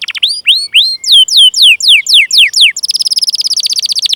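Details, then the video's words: Canary song intended to stimulate young or silent canaries: rising whistled notes, then a sequence of sharp descending chirps, followed by a rapid, even, high trill. "Masteran Suara Burung Kenari Gacor Panjang cuit cuit Ngerol untuk Pancingan Kenari!"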